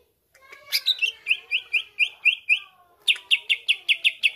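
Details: Greater green leafbird singing to goad others into song; a rippling series of rising chirps after a sharp note, then a quick even run of bright repeated chips.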